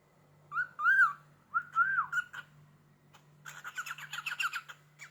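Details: Pet cockatiel whistling and creaking on a cupboard in response to a finger scraping its door: two arched whistled phrases, then a rapid warbling, chattering run of short notes, with a constant low hum behind.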